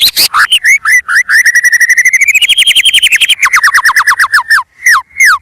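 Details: White-rumped shama singing energetically, recording used as a lure for birds: a fast run of clear whistled notes that climbs gradually, then drops into rapid downslurred whistles, with a few harsh clicks at the start.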